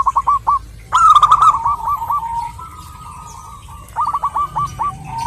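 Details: Local zebra dove female calling a male: a few short coos, a loud, rolling, drawn-out phrase that trails off into a soft hum, then another quick run of clipped coo notes.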